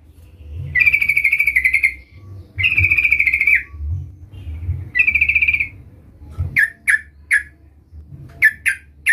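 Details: Rival-calling trucukan (Sooty-headed bulbul), a lively singer, used as a lure: three long rapid chattering trills, each over a second, then a series of short sharp chirps in pairs; steady low background hum.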